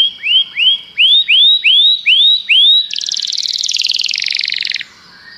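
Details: Common canary: six clear upward-sweeping whistles in steady rhythm, followed by a rapid buzzy trill lasting about two seconds, then a quiet end.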